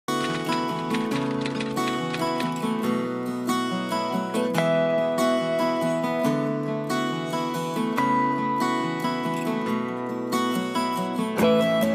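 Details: Plucked acoustic guitar music plays throughout, with no animal voices heard.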